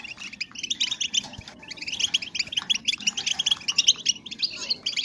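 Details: Female European goldfinch calls, used to bring males into breeding condition and excite them to sing: dense, high, rapid twittering chirps in quick bursts, nearly continuous throughout, with a faint low hum beneath.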